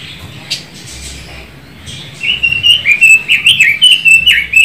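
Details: Pekin robin (Leiothrix lutea), a bird from China said to be growing rare in Indonesia. After about two quiet seconds with faint background murmur, a lively run of clear whistled warbling notes starts, rising and falling in quick bursts.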